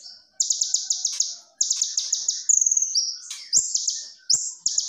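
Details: Konin in full song for masteran, with a clear voice and dense speed. Very high rapid buzzy trills of repeated notes alternate with thin level whistles and downslurred notes, each burst about a second long.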